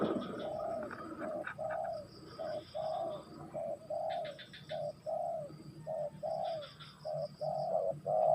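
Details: Repeated cooing of a spotted dove: a rhythmic run of short and longer mellow notes, roughly one per second, continuing throughout, with faint high chirps from other birds in the background.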